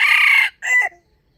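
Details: Close, loud crow of a wild chicken with a standard crowing voice, kept for trapping: a harsh, sustained first note breaking into a shorter, higher second part, then silence.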